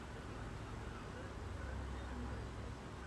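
Only a low, steady rumbling hum like distant traffic is heard, with no animal sound.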